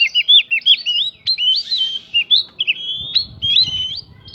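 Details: Oriental magpie-robin delivering a prinia-filled trigger song to stir other birds: quick looping whistled notes and drawn-out wavering tones, bright and clear, with a low rumble of background noise near the end.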